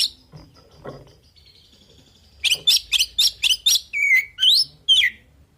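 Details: Oriental magpie-robin singing to provoke other birds into answering: a faint thin whistle first, then a quick string of sharp chirps followed by longer rising and falling whistled notes.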